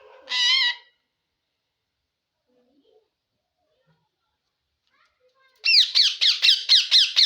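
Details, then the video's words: A green parrot talking while eating, speaking Assamese words. One loud, wavering, harmonic call is followed by near silence. Then comes a fast run of about eight voiced syllables, each rising and then falling, in a small room. "green parrot🦜 talking / ki kori asa"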